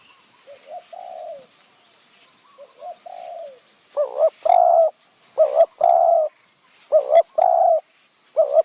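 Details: Spotted dove luring wild birds in high forest near Kanchanaburi, Thailand, khu-ang and nun-ang calling: softer, falling coos first, then a run of loud low coo phrases, each a stuttered double note and a sustained hoot. Another bird gives high chirps early on.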